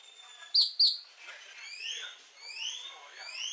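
Great-tailed Grackle: two sharp, harsh clacks, then a run of thin, upward-sweeping whistles rising steeply in pitch, about one every half second.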